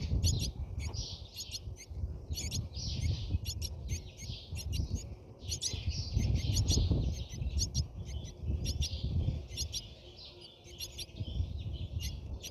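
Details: Brahminy starling nest interior: persistent high, scratchy chirps repeated in irregular clusters over twelve seconds, with a steady low rumble and rustling.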